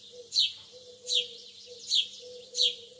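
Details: Lovebirds early in the morning: four sharp, shrill chirps spaced about three-quarters of a second apart. A low, steady hum runs underneath.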